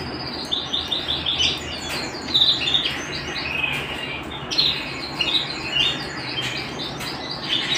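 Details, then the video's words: Domestic canary singing indoors, a fast run of short chirped notes stacked in quick bursts, bright and twittering, with several sharp accents and no pauses longer than a moment. "canary singing at home"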